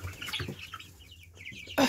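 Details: Chicks in an outdoor enclosure giving a run of short, high, downward-sliding peeps in quick succession, with soft low clucking early on and a sudden loud knock at the end.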